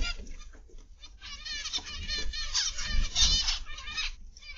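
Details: Zebra finches in an aviary, recorded on 29 November 2021 in the afternoon, give a busy chorus of nasal, buzzy, harmonic calls that overlap and repeat rapidly, with a faint low rumble beneath.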